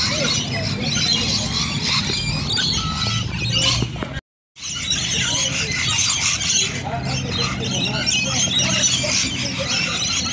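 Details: A flock of Rainbow lorikeets gathered in Bonnyrigg, with continuous shrill screeching and chattering high above a low rumbling hum. Sound cuts out briefly near the middle, then the dense squealing resumes.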